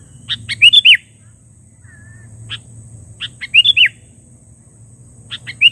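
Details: Sooty-headed bulbul call used to lure and challenge rivals: clusters of short sharp chirps followed by bright looping whistled notes, the phrase repeated about every two and a half seconds over a steady low hum.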